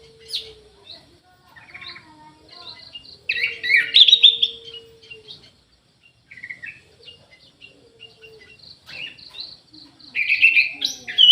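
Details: Orange-headed thrush in an aviary gives scattered bursts of varied whistles and chirps amid quieter gaps, with faint high buzzing in the background.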